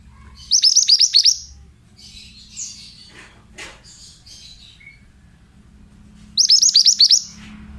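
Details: Pied bushchat song used to train young birds: two bursts of rapid, high, down-slurred chips about five seconds apart, with scratchy clicks and faint chirps between them.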